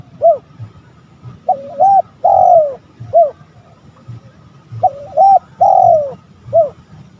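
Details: Male spotted dove calling to provoke rivals, used as a lure: two matching phrases of mellow, hollow coos, each a short note, a wavering double coo and a long falling drawn-out coo, ending with a short note, over a low steady hum.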